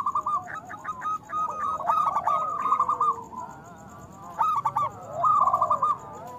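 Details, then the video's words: Local zebra dove in full song, used as a lure to get lazy doves singing: bursts of rapid, bubbly cooing notes near one pitch, each phrase ending in a rolling trill, repeated several times with short pauses. "Perkutut lokal gacor Suara Besar Panggilan Perkutut Agar Bunyi"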